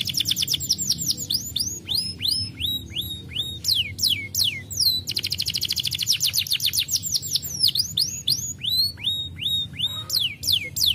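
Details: Singing canary, played to stimulate reluctant canaries into song: long runs of rapid, sweeping chirps at varying speeds, some sliding sharply downward, over a constant low hum.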